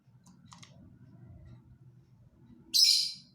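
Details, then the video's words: Lovebird giving a single loud, shrill, high chirp near the end, after nearly three seconds of low background rumble with a few faint higher ticks. "Burung Lovebird"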